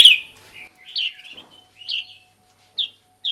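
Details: Black-crested bulbul, a decoy recording for calling birds in: a loud opening chirp, then bubbly warbled phrases and brief clear notes spaced by short pauses, in a quiet background with a faint steady tone.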